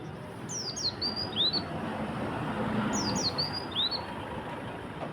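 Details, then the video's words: Morning song of an Oriental white-eye with konin phrases: two bursts of four sharp, high whistles, each note sliding downward, the bursts about two seconds apart over a low hum. "Pleci Gacorr Di Pagi Hari, Tembakan Konin"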